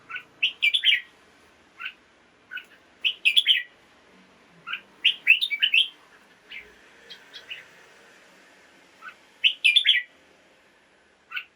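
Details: Red-whiskered bulbul kept in a cage, singing in the morning to stimulate other birds: clusters of sharp whistled chirps repeated every second or two, with gaps of soft continuous background hiss between phrases.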